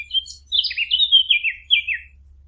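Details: Hunting-lure recording of a fig bird: a couple of thin high chirps, then a run of scratchy, downward-slurred warbled phrases, each about a third of a second long.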